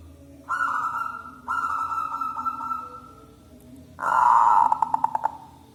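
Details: Zebra dove, a local wild-type bird, singing loudly as a lure for trapping doves: two long steady hums near one pitch followed by a bright burst of rapid stuttering coos, with a low background drone.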